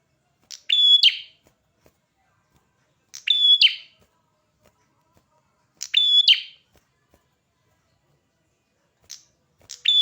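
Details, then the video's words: Prinia singing actively, four matching phrases spaced roughly three seconds apart, each a rapid buzzy lead-in and a sharp high whistle ending in a rasp, with quiet pauses between. "Burung perjak kepala merah gacor"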